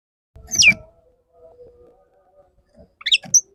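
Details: Courting male Oriental magpie-robin: one strong falling whistled sweep, a faint steady low tone, then a cluster of quick chirpy notes at the end.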